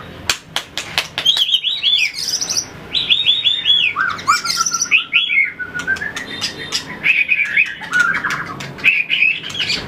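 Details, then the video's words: White-rumped shama practising fight song while flicking its tail on the perch: bright, high whistled phrases in quick runs, some descending sweeps and a steady wavering trill, punctuated by clicks. "luyện chòe lửa hót đấu,đập đuôi chạy cầu | murai batu"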